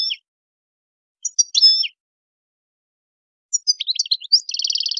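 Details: A wild European goldfinch sings bright, tinkling phrases: short twittering bursts, then a fast run of liquid notes ending in a dry, rapid trill, with no other sounds.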